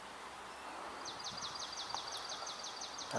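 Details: Swamp sparrow (Melospiza georgiana) singing near water's edge on 9 July 2022: a high, even trill of about ten quick repeated notes over two seconds, over steady outdoor background noise.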